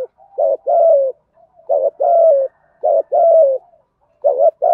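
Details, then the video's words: Spotted dove giving the 'thúc gù' cooing used as a lure to call wild doves in fast: paired low coos, a short note then a longer slightly falling one, phrases repeating about every 1.2 seconds in a quiet setting. "Tiếng chim cu gáy thổ thúc gù + kích bổi rất nhanh nổi"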